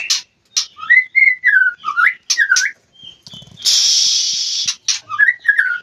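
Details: White-rumped shama (murai batu) singing in an Indonesian aviary during mating season: clear whistled phrases, some rising and some falling, broken by short pauses, with a harsh hissing burst of about one second midway before the whistles resume.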